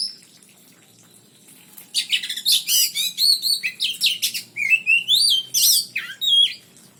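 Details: During cage pairing for breeding, an oriental magpie-robin breaks from quiet into a fast run of shrill whistles, harsh chirps and swooping slurred notes lasting several seconds.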